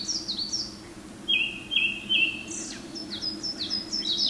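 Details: A male Japanese thrush singing in a forest as morning sun breaks through, Mount Garyu, Hiroshima, 23 May 2019: a clear high note repeated three times, then higher slurred twittering, over a faint low hum; other small birds also calling.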